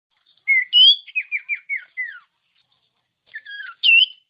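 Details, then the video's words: Common iora song, a tutor recording meant to provoke reluctant ioras into singing: a loud whistled upslur, then a run of six quick descending whistled notes, a pause, and a rising-falling whistled phrase near the end. "Masteran Burung Cipow/Sirtu||Bikin Sirtu Emosi"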